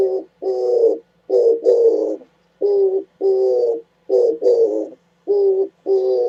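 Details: Oriental turtle dove, January 2017, cooing steadily in a rhythmic pattern of low, throaty paired notes. Phrases repeat with short gaps between them, and faint high twittering sounds now and then.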